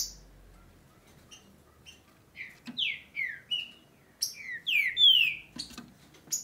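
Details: Green-winged saltator (trinca-ferro) from Brazil in the breeding season: faint ticking notes at first, then a loud run of about eight slurred, sliding whistles delivered rapidly.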